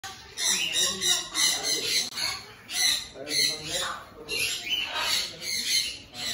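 Sulphur-crested cockatoo giving harsh, raspy screeches in quick succession, about one a second, amid the chatter of other aviary birds and a faint voice.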